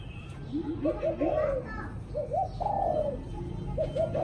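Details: Evening cooing of a spotted dove, phrases of two quick short notes followed by a drawn-out, slightly falling coo, repeated three times, with softer lower coos and faint voices in the background.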